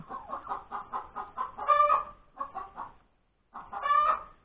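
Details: A hen cackles over her new egg at Sunday breakfast time, January 31, 2021: rhythmic clucks about five to a second swell into a drawn-out squawk, a few more clucks, a silent gap, then another squawk.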